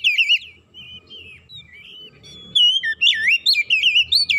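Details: Oriental magpie-robin singing to attract other magpie-robins: varied clear whistles, slurred and warbled, growing louder and faster in the second half, with a soft low rumble beneath.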